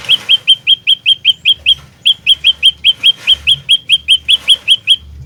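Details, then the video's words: Lure song of an olive-backed tailorbird used for trapping, fighter style: a steady, nearly unbroken chain of sharp metallic chip notes, roughly four each second, with a brief gap near two seconds, over soft low rumbling. "Burung Prenjak Lumut Pikat Gacor Fighter"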